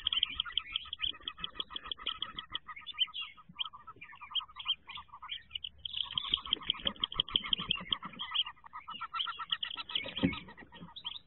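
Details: Nest-box wood duck ducklings, 2023, peeping continuously: bright high twittering chirps layered over fast, even trains of lower pulsed notes, a brief lull around four seconds, then the chorus resumes with some knocking.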